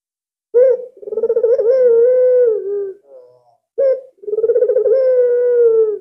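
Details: An albino Barbary dove used as a decoy caller coos twice. Each phrase opens with a brief clipped note and swells into a long, low, purring coo that wavers slightly and then fades downward.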